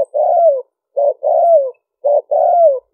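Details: Spotted dove cooing to lure wild birds: three loud phrases about a second apart, each a short low note followed by a longer coo that slurs downward, with clean silence between the phrases.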